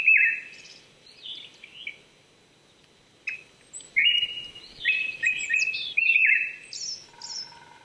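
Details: Japanese thrush singing on an April morning at 800 m in the Saitama Prefectural Forest, Chichibu, Japan: loud fluting whistled phrases around mid pitch, broken by pauses, with thin high notes from other birds.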